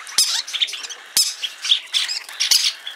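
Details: Tame green-cheeked parakeet in a Fukuoka Prefecture pet shop, Japan, letting out loud rasping screeches. Sharp onsets come about once a second, linked by buzzy, scratchy chatter.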